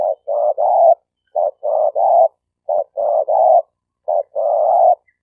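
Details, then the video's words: Spotted dove (tekukur) denak lure bird for trapping, Malaysia: rough, buzzy three-part coo phrases, a short note then two longer burry ones, repeated about four times at steady intervals with no other sounds. "Suara Burung Tekukur Denak Padu Juara All Star"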